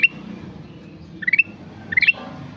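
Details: Lively ruby-throated bulbul giving a few separated phrases of quick rising stepped notes, the last one ending in a higher, slurred flourish.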